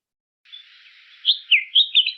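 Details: Red-whiskered bulbul, a common bird in India, singing a quick run of four bright, liquid whistled notes, slightly warbled and rising and falling, after a soft, faint chatter.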